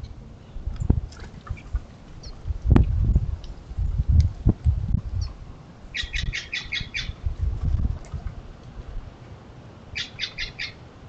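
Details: At a feeder visited by American goldfinches, a Western bluebird gives two short runs of rough, rapid chattering notes, about six then four, separated by a pause, with thumps and wing flutter beneath.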